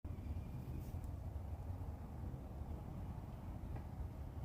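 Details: Steady low rumble of passing traffic or a train dominates throughout, with no animal calls standing out.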